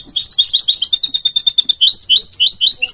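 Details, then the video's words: Goldfinch hybrid delivering a continuous, fast, high-pitched twittering song of chirps, short slurred whistles and rattling notes packed closely together without pause. "3 Surprising Ways Goldfinch Hybrids Outsing You!"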